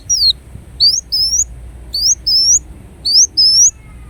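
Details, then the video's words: Kolibri wulung, or ruby-cheeked sunbird, giving paired high phrases: a sharp upslurred note, then a longer rising whistle, repeated three times about a second apart. "Kolibri Wulung Gacor Dorr Bocor Corr"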